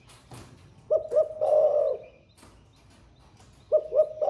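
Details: Spotted dove singing the thổ pha style, newly in voice and cooing all day, kept captive: one full phrase of two quick coos and a long drawn coo, then the next phrase starting, with faint clicks between.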